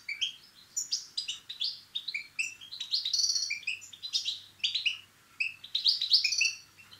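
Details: Lively European goldfinch singing meant to excite males into song: continuous high, tinkling twitters and chirps mixed with brief buzzy rattles, delivered in quick phrases with short pauses, against a faint steady low hum.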